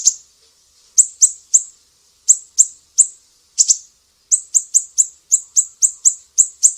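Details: Mangrove whistler from Sumatra, sharp besetan delivery kept as a training master for songbirds: scattered high, clipped notes at first, then a quick even run of piercing downslurred notes.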